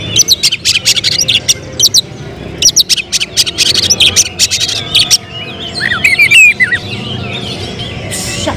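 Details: Oriental magpie-robin kept in a cage as a contest prospect, giving rapid sharp clicky bursts followed by a run of twisting whistled phrases near the end, over a steady murmur of background noise.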